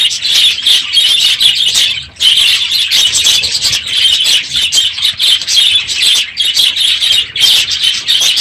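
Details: Crowded budgerigar aviary in the morning at the end of the breeding season; continuous loud high-pitched twittering and chirps from many birds, with one brief lull near the two-second mark.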